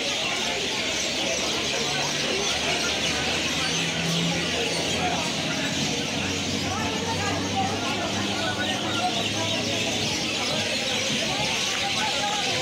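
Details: A dense, unbroken wash of mynas, possibly about a thousand along with other birds, chattering from a kadam tree they roost in at night at Ranaghat station. Harsh, squeaky, overlapping calls with no pauses as a shopkeeper chases birds off his shop, over a low hum, perhaps traffic.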